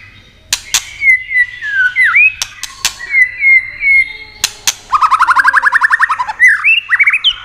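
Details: White-rumped shama song used to stimulate and excite other shamas: varied clear whistles sliding down and up, sharp clicks between phrases, then a fast rising buzzy trill of rapid repeated notes ending in high whistles.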